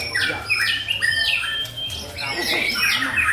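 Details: White-rumped shama described as a champion bird, singing loud, clear whistled phrases that slide and jump between high and very high notes, with sharp downward sweeps and rapid overlapping notes, and faint low background noise.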